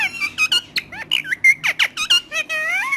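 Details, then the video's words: Parrot mimicry in a quick series of short squeaky syllables, roughly evenly spaced, ending in a drawn-out rising, wavering note. "Romeo One Of The Best Talking Parrot"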